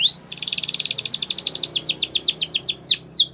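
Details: Canary training song: a short rising note opens into a long rapid rolling trill, which then loosens into a steady series of high downward-sweeping notes.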